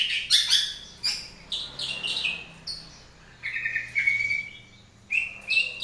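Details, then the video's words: Long-tailed shrike in the morning giving varied song phrases: sharp, abrupt notes followed by clearer, drawn-out whistled tones, with short silent gaps between bursts. "kicauan cendet dipagi hari"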